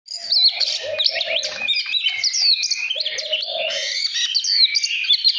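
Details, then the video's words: Caged Oriental magpie-robin singing to rouse other birds into song: a dense, continuous stream of high whistled phrases, rapid slurred rising and falling notes, with a few lower, fuller warbled notes mixed in. "Chòe than mồi đất hót gọi bổi kích chim lên lửa"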